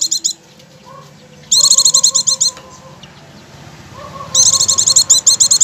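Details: Oriental white-eye song played as a lure for instant ngecir singing: long, rapid runs of piercing high chirps repeated in quick succession, over a steady faint whistled tone in the background.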